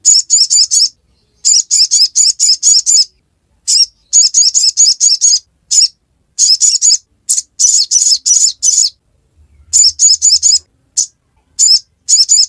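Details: Ngiriwek-style song of a sogon, the sogok ontong: long runs of rapid, high-pitched chirps, mostly in rattling clusters of four to six with brief gaps, plus a few isolated notes.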